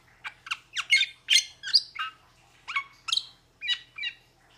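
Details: A metallic starling (Aplonis) sings a chattering series of squeaky, grating notes and short whistles, delivered in quick irregular bursts with a brief break in the middle.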